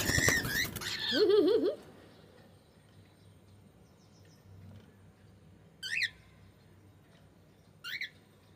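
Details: Cockatiel giving a burst of loud, warbling chirps, then quiet with low background hum, broken by two short, sharp rising calls about two seconds apart.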